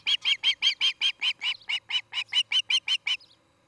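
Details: Osprey at a nest in Charlo, Montana, on an evening nest camera in August 2018: a fast run of about fifteen sharp, whistled chirps, evenly repeated for three seconds, then a short tail-off into quiet.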